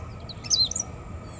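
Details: A Great Pampa-Finch sings against the wind at Laguna del Diario, Uruguay, on 15 July 2017, a brief burst of high, thin, squeaky notes over steady wind noise.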